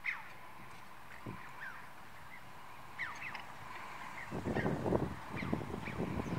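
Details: Red-billed choughs at Songzanlin Monastery, Shangri-La, Yunnan, on 18 April 2019 give short, ringing chee-ow calls that swoop up then down, spaced irregularly, over a low rumble of wind and background noise that grows louder midway.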